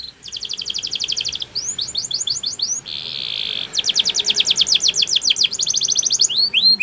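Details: Belgian canary song, played as training to get other birds singing: fast series of repeated high sweeping notes, a brief steady buzzy trill partway, then quick rhythmic upswept phrases resuming, all bright and high-pitched.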